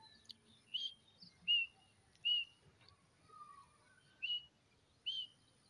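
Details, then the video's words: Grey francolin (teetar) calling from grass in Pakistan: sharp, high chirped notes repeated about once per second, each rising then dropping, with a lower falling whistle midway and faint background hiss. "Grey Francolin in grass mn awaz"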